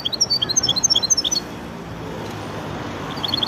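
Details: Goldfinch-canary hybrid giving a brief, rapid trill of bright, high, evenly spaced notes lasting just over a second, then quiet, then a few more high notes at the close.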